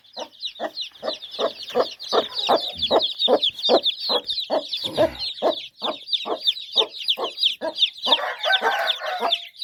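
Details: Domestic hen with her chicks on a farm: rapid, steady clucks about two or three per second under a constant stream of high, thin peeping from the chicks, ending in a brief rustling burst.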